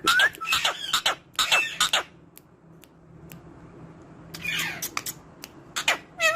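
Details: Parrot talking, with harsh broadband squawks and harmonic calls in quick bursts, a short rising whistle near the start, a quiet gap, then more squawks and a whistled note at the end; faint low hum indoors.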